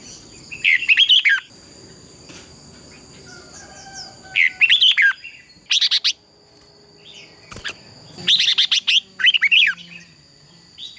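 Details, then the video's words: Red-whiskered bulbul competing in song, used as a decoy-bird recording for training: short loud bursts of fluid warbling notes spaced a few seconds apart, with sharp clicks and a faint steady high hum. "Chào mào hót đấu. Chào mào luyện giọng hót hay ép bổi sổ bọng và căng lửa"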